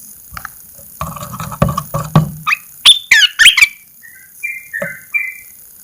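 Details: Caged Asian red-eyed bulbul singing as its cage cover is first opened after 14 days of cover therapy; soft clicks and rustling lead into loud chattering notes, then short whistled phrases.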